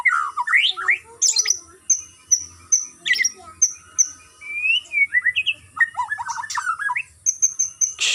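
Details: Captive white-rumped shama on a stamina-building routine of regular free flight; rich song of rising whistles, repeated high clipped notes and tumbling warbled phrases, with a faint low hum behind.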